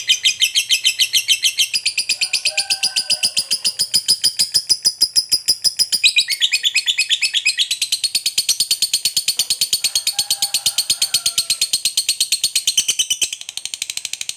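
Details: A fighter lovebird in long ngekek song that provokes other lovebirds to answer, with unbroken rapid high chattering for fourteen seconds, shifting in tone partway through, and faint lower chirps beneath.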